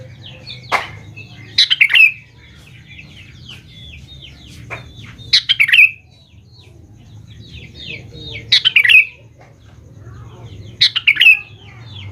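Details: Sooty-headed bulbul song used as a lure to get young bulbuls to answer: short, bright, bubbling phrases with a falling slur, repeated about every three seconds, with soft chirps between them over a low background hum.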